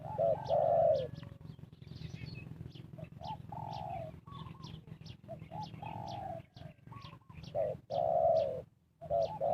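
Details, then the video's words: Spotted dove cooing used as a lure to call wild birds for trapping: several deep, hollow cooing phrases, some with a longer drawn-out final note, over a steady low hum and scattered clicks. "Cara Pikat Tekukur memanggil Burung Liar"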